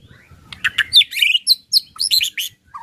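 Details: White-rumped shama ketrekan song, used to spur other shamas to sing. Energetic string of sharp, high chirps and short whistled notes, delivered in quick bursts.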